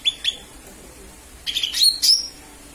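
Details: Lesser green leafbird calling, a recording used as a lure: sharp high chirps, two quick notes then a cluster of three bright rising notes, over a quiet background.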